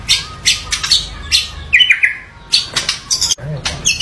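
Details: White-rumped shama giving spaced high scratchy bursts and short whistled slurs, a phrase roughly every half second, over low hum.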